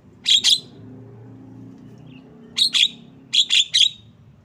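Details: Javan myna delivering loud, scratchy chirps in quick doubles, then a pause followed by another pair and a rapid triple burst, with faint low hum underneath.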